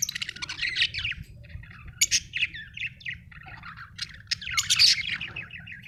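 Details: Budgies chattering in a continuous stream of rapid chirps, buzzes and squeaky warbles, growing busier toward the end, with a faint low rumble underneath.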